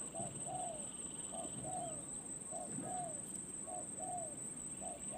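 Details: Faint spotted dove coos from a decoy bird gaining perch experience, in repeated pairs of a brief note and a longer downslurred coo roughly every second, over broad rumbling outdoor noise and a steady high whine.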